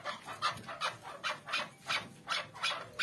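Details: Chukar partridges in a mixed chorus of calls: a string of short, harsh clucking notes repeating about every third of a second, fairly faint against a steady hiss.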